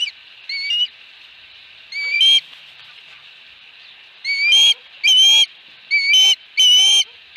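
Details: Scattered clusters of shrill whistled calls from an Osprey at its nest with a fish, Dunrovin Ranch, 22 August 2020, separated by long pauses over a soft steady hiss.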